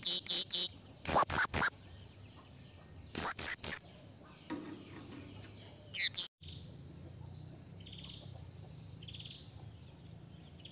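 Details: Blue-crowned hanging parrot calling to a rival, giving loud, very high, thin squeaky notes in clustered bursts. Sharp shrill chips alternate with softer twittering trills, and a faint low hum sits underneath.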